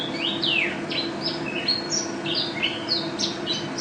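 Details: Champion white-eye (pleci) singing a busy run of high chirps, with one long falling whistle near the start, then quick upslurred and downslurred notes, and a constant low hum behind.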